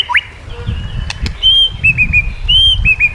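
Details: White-rumped shama training song: high pure whistles and short hooked notes in a halting series, with two loud clicks and low rumble.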